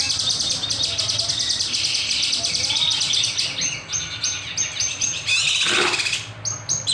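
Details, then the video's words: Lively kinoy singing for master and lure use, with sharp shooting phrases: a dense, continuous high twittering stream, then clipped, stepped whistles and one loud downward sweep near the end. "Masteran / Pancingan Burung Kinoy Gacor, Nembak, Beset Tajam"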